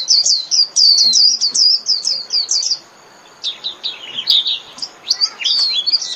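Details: Japanese white-eye singing to call its flock: fast runs of thin, high twittering notes, a dense burst for under three seconds, a short pause, then a looser, slurred chattering phrase.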